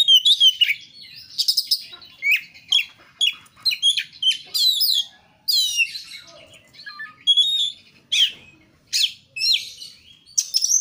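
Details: Gacor kacer (Oriental magpie-robin) song recorded as a lure: a long, fast, varied stream of sweeping whistles, buzzy phrases and chips with brief gaps, strong throughout.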